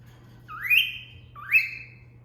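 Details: Captive female cockatiel giving the cat-call whistle its owner taught it: two long upward-gliding whistles less than a second apart, each levelling off at the top, with a quiet electrical hum underneath.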